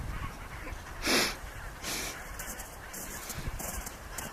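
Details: A little penguin in Antarctica, recorded in 2012, sneezes: a sharp, loud broadband burst just after one second, then a second, softer sneeze-like burst near two seconds, over a steady hissing background.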